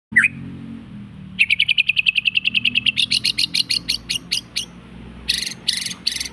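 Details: A white-rumped shama's lure song, used to provoke or train other birds. After one upslurred whistle, a long series of short, sharp, evenly spaced notes runs at about four per second, rising slightly in pitch, then gives way to louder, buzzier bursts over low background hum.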